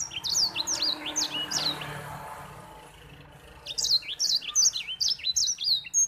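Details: Grey singing finch (white-rumped seedeater) song, kept as a tutor song for other birds: quick, high, sweet twittering phrases in two bursts with a brief pause between them.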